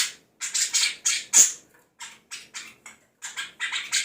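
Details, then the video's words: Budgerigar imitating other birds, including the red-whiskered bulbul, the white-eye, the laughing call of a lovebird and fighting sparrows; a series of separate harsh, buzzy chirps, loud at first and then softer, in an uneven rhythm. "Parkit isian mewah cocok untuk memaster burung kicau"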